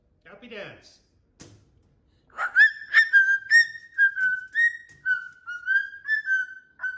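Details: Pet cockatoo indoors, loud and excited, after a few spoken words gives a run of clear whistled notes near one pitch, each slightly rising or wavering, about two per second.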